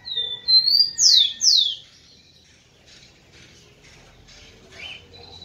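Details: Male rufous-collared sparrow singing to stimulate females: two long slurred whistles, then three loud, sharply descending whistled notes, followed by faint scratchy chips in a quiet background.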